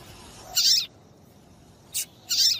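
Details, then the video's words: Female papa-capim (double-collared seedeater) calling to prompt males to sing; a high harsh chirp, a brief tick, then another harsh chirp. "MELHOR PIADO DE FÊMEA DE PAPA CAPIM PARA DEIXAR SEU PAPA-CAPIM DOIDO PARA CANTAR LOGO!"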